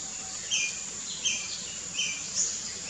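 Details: Tickell's blue flycatcher in Perlene Forest, Goa, 2017, giving short, high, slurred notes in about four spaced bursts, partly masked by a constant high whine in the background.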